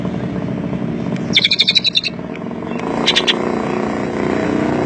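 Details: Greater green leafbird, isian Cililin song: one rippling phrase of fast repeated high notes lasting under a second, then a brief second flurry, over loud low-pitched background noise.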